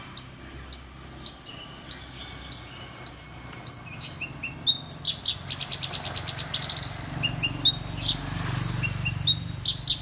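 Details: Horsfield's bush lark, a caged songbird with dull plumage that mimics other birds such as prenjak, ciblek and sparrows, sings high notes: repeated downslurred whistles about twice a second, then rapid buzzy trills and scattered chirps.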